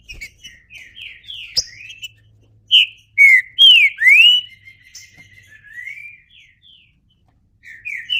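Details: Green-winged saltator (trinca-ferro) song: soft whistled notes, then a burst of loud, sweeping whistles of rising and falling pitch midway, fading to quieter phrases before a short pause and a final note.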